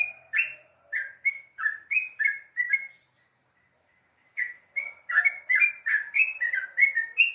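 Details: Sooty-headed bulbul morning song: short runs of cheerful, slurred whistled notes, a pause of about a second and a half with a soft trailing note, then another quick bubbling run.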